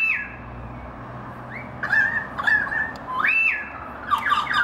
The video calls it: Currawong family singing